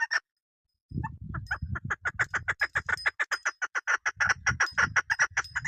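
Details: Female chukar partridge call of the kind used by hunters, from a hill area: after a short pause, a long run of clucking notes speeds up into a steady rapid series, roughly four per second. Low rumbling noise sits underneath early on.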